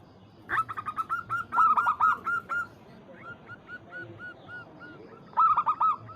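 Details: Local zebra dove calling a rival, a string of rolling cooing notes repeated in quick bursts, the calls of several doves overlapping, with a low hum behind them.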